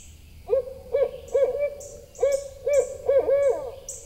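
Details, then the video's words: Barred Owl male hooting near a nest with one egg in Eastern Massachusetts, late afternoon, near-freezing; a series of about eight short, rounded, mid-pitched hoots, some paired, over roughly three seconds, with thin high chirps from small birds. "Just a few hoots from Ward and the egg was left alone in near freezing weather."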